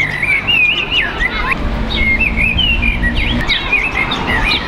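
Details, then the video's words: Common blackbird singing with other birds from a tree beside a house, loud noise below: fluid warbled whistles rising and falling in quick phrases, mixed with high chirps over a steady low rumble. "שיח שחרור עם ציפורים על עץ ליד הבית"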